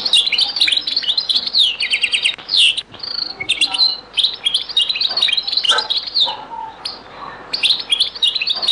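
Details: European goldfinch, Beni Messous 'les avocats' (zaboka) song from a very old recording: nearly unbroken, loud, rapid twittering with liquid trills, buzzy notes and sharp chirps, varied and densely delivered throughout.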